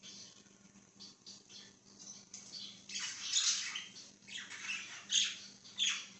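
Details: Budgerigar chirping, dated 5/10/2023: quiet scratchy chatter at first, then louder bursts of harsh, buzzy high chirps and squeaks in the second half, with a steady low hum underneath.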